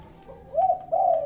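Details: Brief dove cooing: a faint note, then two loud, smooth, hollow coos in quick succession, the second held longer.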